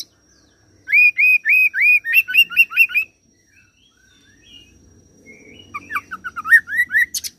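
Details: Oriental magpie-robin in captivity sings a rolling mimicry song with cililin and serindit imitations: a fast series of about nine upswept whistled notes, a quiet gap with faint low rustling, then more rising whistles ending in a sharp high note.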